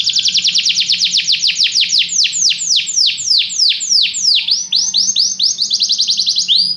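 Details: Training song of a canary: a long series of ringing, downward-sweeping notes repeated several times a second, slowing and broadening midway, then quickening into tighter rolls at the close.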